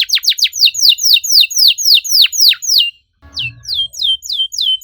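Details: Canary singing slow, loud, well-spaced swooping notes that fall sharply in pitch, about four per second, then a short pause with a faint low thump before softer curved whistles resume; a bait song for silent canaries.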